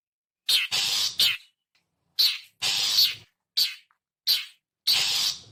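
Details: Long-tailed shrike, known locally as cendet, used as a lure: loud scratchy rasps alternate with short harsh chips, about eight notes in five seconds, with no other sounds.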